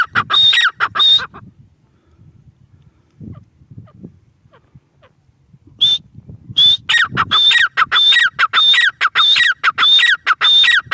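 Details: Grey francolin (teetar) giving a few shrill calls, then a quiet gap of about four seconds with faint rustling, before a fast, regular run of loud, piercing, whistled notes resumes to the end.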